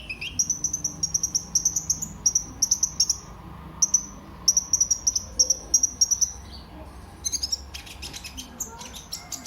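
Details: Sunbird known as kolibri ninja, sung as a lure to set other birds singing: loud, very high, rapid trilled bursts repeated steadily, ending in a denser buzzy chatter.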